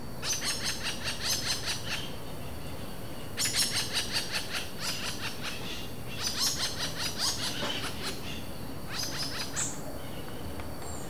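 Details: Robust Woodpecker pair exchanging interaction calls in the wild at Vargem Grande Paulista, São Paulo, Brazil, April 2023, no playback, Zoom H4n recorder: three bursts of rapid, harsh, buzzy notes, each series lasting one to two seconds, over steady background hiss.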